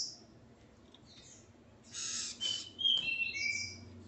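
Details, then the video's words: Double-collared Seedeater male with his female; a rustling burst is followed by clear whistled notes descending in steps, over faint background noise. "Coleiro Ponto 50 e sua Fêmea Calibre 40."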